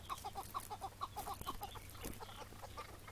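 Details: Chukar partridge heard one morning in May 2017 during a decoy hunt ending with a wild bird caught and let go; a quick series of hoarse chuk notes fades out into rustling and handling noise.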